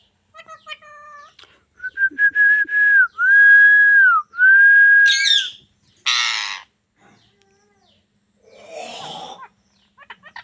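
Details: Talking parrot producing a string of clear whistles, including long sustained tones that rise and fall, followed by harsh raspy bursts and short chattering notes.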